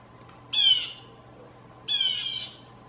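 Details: Two loud, harsh, descending screams from a blue jay, a false alarm that frightens backyard squirrels, spaced well over a second apart against a quiet low hum.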